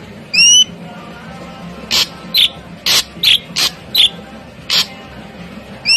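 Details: Ashy drongo, noted as a clever mimic, giving a rising whistle, then a run of sharp dry clicks and snaps mixed with brief high squeaks, ending with another rising whistle.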